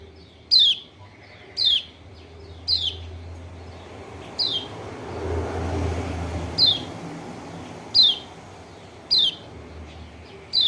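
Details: White-eye from Lombok (kecial kuning), lure call to prompt a quiet bird: eight quick, high whistled notes each slurring down, irregularly spaced, while a vehicle passes softly in the middle.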